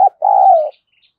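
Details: Spotted dove used as a lure bird for wild doves: a brief clipped note, then one sustained coo that holds steady before sliding slightly downward, followed by silence.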